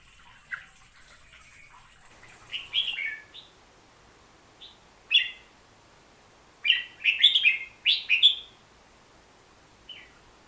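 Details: Hook-billed bulbul singing. After a faint, hissy opening, it gives short bubbly phrases of slurred mid-high notes in scattered bursts, with the densest run near the end.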